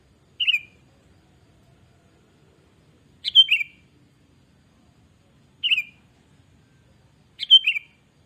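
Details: ['Sooty-headed bulbul (kutilang) in gacor singing used as a lure: four brief liquid phrases repeated about every two and a half seconds. Each is a quick gurgling burst of bouncing whistles in near silence.']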